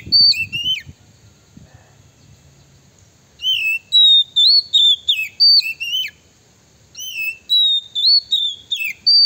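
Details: A male Oriental magpie-robin gives a lure call, described as calling a female and provoking rival males: loud, clear whistled phrases with sliding notes and chattery flourishes in bursts after short pauses, with a faint low rumble early on.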